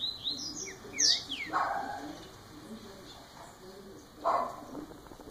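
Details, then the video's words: Young double-collared seedeater in its first year of life; a few high, thin whistled notes sliding downward open the clip, then a pause with low background hiss and a soft thud. "COLEIRO NOVINHO MAIS TOP 1¤ ANO DE VIDA"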